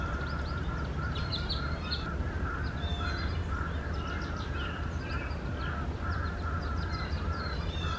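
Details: Starlings at a nest box holding four chicks, 4 May 2019, parents flying in and out: repeated short chirps throughout with higher scattered squeaks, over a steady low hum.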